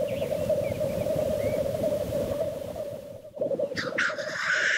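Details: Black grouse at the lek. A steady low bubbling coo rolls on without a break. A sharp hissing sneeze breaks in near the end.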